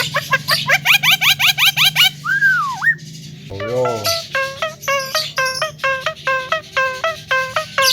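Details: Javan myna song meant to provoke other birds: rapid rising notes and a swooping whistle, then a low buzzy burst and a regular series of sharp, stepped notes about twice per second. A faint hum sits underneath.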